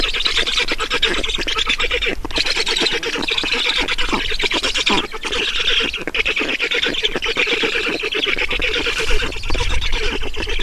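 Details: Black stork chicks begging at an Estonian nest as they are fed, 5 June 2019 in the afternoon, with a dense, unbroken stream of loud, hoarse, rattling calls.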